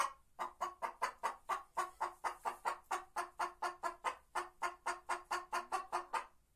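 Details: A White Leghorn hen keeps up a long, even series of roughly twenty-six throaty clucks in six and a half seconds, a regular pulsing rhythm against a faint low hum.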